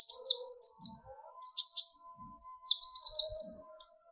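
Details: Kolibri ninja sunbird song meant to stir other birds into singing. Irregular high chirps and buzzy notes form short phrases, with a faint steady lower whistling tone running beneath.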